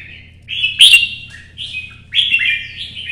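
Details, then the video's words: Red-whiskered bulbul singing competitively to stir up other birds: short, clear whistled phrases separated by brief gaps, one sharp loud note early, ending in a rolling, descending warble. "CHÀO MÀO | Nắng sớm solo chạy cầu hót đấu kích chim T730"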